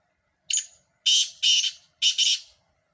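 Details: A black francolin gives a brisk rasping phrase: one brief note, a pause, then three broad, harsh, crackling notes in quick succession against clean quiet.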